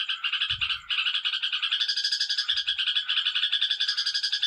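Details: Trucukan, the yellow-vented bulbul, giving a ngekek chatter: rapid, unbroken strings of bright repeated notes rising slightly in pitch after the first second, with two faint low thuds in the background.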